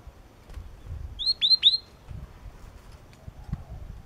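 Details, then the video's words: Three crisp, high whistled notes in rapid succession, each with a sharp upper click, from a yellow-cheeked tit over low background rumble. "Chim Chi Chi Mào Hót Cực Hay"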